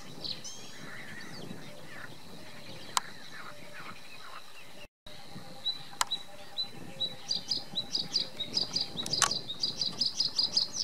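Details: A singing male Bluethroat in reed beds at Halastó ponds, Hungary: soft scattered chirps, then a quickening run of bright, ringing high notes, about two or three a second, over a faint steady insect-like hum.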